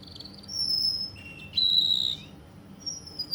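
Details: In Kuwait, a Russian canary gives a few long, pure high whistles, one thin and very high, one lower and louder, separated by short quiet gaps.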